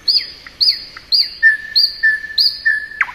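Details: Thrush nightingale singing in spring, high whistled notes alternating with lower steady whistles in a regular rhythm, finished by a sharp click.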